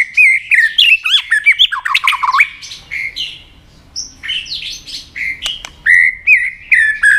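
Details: White-rumped shama being stirred to fight-sing; fast varied whistled slurs and trills, a quieter buzzy middle section, then renewed clear whistled phrases.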